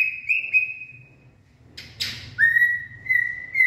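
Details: White-rumped shama in late afternoon song on 18 February 2024: drawn-out falling whistles, a pause, a harsh rasping burst, then renewed clear whistled notes rising slightly in pitch.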